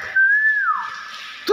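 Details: Vocal common hill myna, called gacor, whistles one smooth tone that holds level, then slides downward and trails off, followed by a faint hiss and a brief knock at the end.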